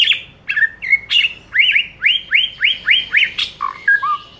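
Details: White-rumped shama song from a master recording meant to make other shamas sing: a loud, rhythmic sequence of about ten similar rising-then-falling whistled notes, repeated several times a second, ending in lower flat whistles.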